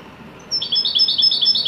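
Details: European goldfinch, Moroccan Widani type, singing joyfully: a quick series of bright, slurred twitters repeated in a steady, rolling rhythm after a brief thin lead-in note.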